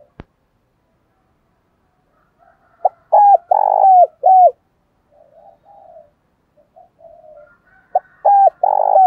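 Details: Decoy spotted dove in the thổ singing style calling to lure and stir up wild doves: a sharp click, then loud rounded coos in quick groups of three with softer murmuring notes between, in an otherwise quiet setting.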